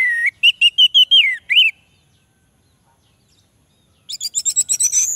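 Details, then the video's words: Orange-headed thrush song used as a lure for males that sing little: a rich run of whistled, slurred notes falling and rising, then a fast series of high, thin chirping notes after a short silence. "Anis merah jantan pasti langsung nyaut - suara Anis merah untuk pancingan"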